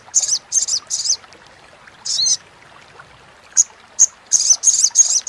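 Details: Crimson sunbird chatter recorded clear, for teaching competition birds: short high buzzy bursts in small groups, separated by quiet gaps, then a fast closing run of harsh, thin notes.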